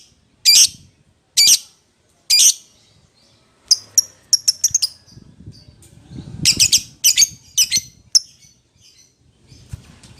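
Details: Lovebird calling to its companion, a lure call to draw a rival: harsh, shrill squawking bursts, three spaced calls then a quicker run of sharp chirps, with faint low rumbling underneath.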